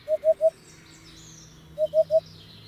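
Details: Two crisp triplets of soft, low hooting notes from a hoopoe, each burst under half a second, with a faint wash of distant birdsong behind.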